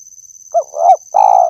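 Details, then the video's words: Spotted dove lure recording: two soft, rising-and-falling hooting notes, then a longer buzzy, level coo, with a steady high-pitched electronic tone underneath. "suara burung tekukur_pemancing suara tekukur"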